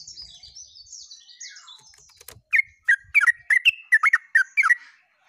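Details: Yellow-vented bulbul singing lively and nonstop, recorded 29/08/24: faint high twittering at first, then a rapid run of about ten loud, bubbly chirped notes that bend up and down, spaced roughly a third of a second apart.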